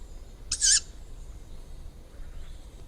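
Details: A single hoarse, breathy screech from a juvenile tawny owl, brief and broadband, followed by quiet with low background hum.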